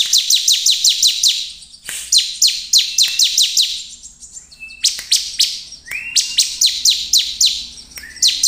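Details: Lively bar-winged prinia song, played to stir rival prinias into singing, with rapid strings of piercing high chips falling in pitch. Long trains are broken by short gaps and an occasional thin, level whistle.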